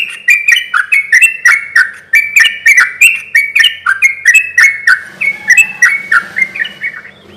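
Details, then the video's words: Sooty-headed bulbul singing nonstop, meant to lure and stir other bulbuls to reply: steady run of short, liquid, slightly descending phrases punctuated by sharp ticks, fading at the end over a faint low hum. "suara trucuk gacor ini ahlinya bikin pancingan trucuk yg macet akibat ombyokan pasti nyaut bunyi"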